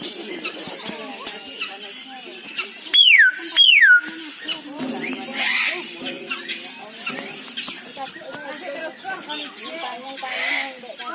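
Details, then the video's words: A common hill myna (Gracula religiosa) gives two loud, ringing whistles, each sliding steeply downward, back to back, over a steady background of soft chatter and speech-like mumbling. "Beo Mamiang/Tiong Emas - Birds Sounds"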